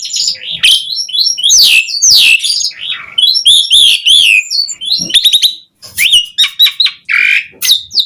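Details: Asian pied starling singing continuously to lure other starlings, with a dense jumble of warbled whistles, rising and falling slurs and rapid clicks.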